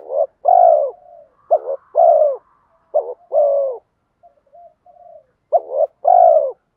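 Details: Spotted dove lure call, 'giọng đồng' voice with urging coos and 'mắt me' accompaniment for attracting wild doves; repeated double hoots and long falling coos, interspersed with soft, low, drawn-out murmuring notes.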